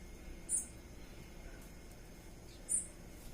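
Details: Ruby-crowned tanager visiting a bird feeder for banana: two brief, thin, very high chips about two seconds apart, with near silence and a faint steady hum between them.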